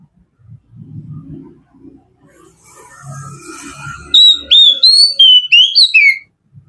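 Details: Relaxed kacer song from an Oriental magpie-robin: soft rustling and low murmuring noise first, then a vigorous series of loud, clear whistles, each note quickly slurred, repeated in a rapid run.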